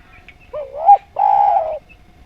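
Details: Spotted dove (derkuku Djawa), a keen singer with a melodious voice, giving a gently undulating coo that climbs to a bright accent, followed by a drawn-out rough low coo, against a faint continuous hum.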